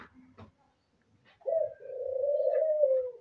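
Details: A dove, possibly an albino dove, gives a low, soft breeding coo: a short note, then a long, steady hum that drops slightly at the end. Faint indoor sounds come first.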